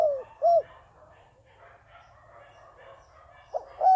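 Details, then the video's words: Decoy dove used to attract doves for trapping: two short, soft, hollow coos at the start, a quiet pause, then another pair of rounded coos at the end. "Tiến cu mồi gáy chuẩn, gọi là đếnh"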